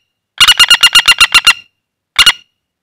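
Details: Common flameback, a wild woodpecker held in the hand after being lured, rattles off about nine quick, harsh notes in a row, then adds a brief two-note burst.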